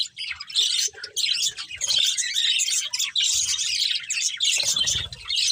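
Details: Chirping from a colourful budgerigar family around a breeding pair: a continuous babble of squeaky twitters and thin whistles, occasionally broken by brief quiet gaps and a soft low thump near the end.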